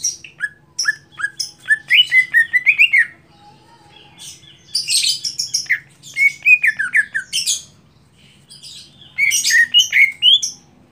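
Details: A greater green leafbird sings at the start of a songbird contest: rapid bursts of varied chirps, whistles and trills in phrases of two to three seconds separated by brief pauses, over a faint low hum.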